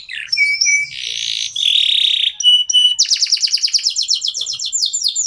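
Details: Song of a local domestic canary used as a lure to make other birds sing; flat whistled tones and a harsh buzzy stretch give way to a quick, even series of rising chips.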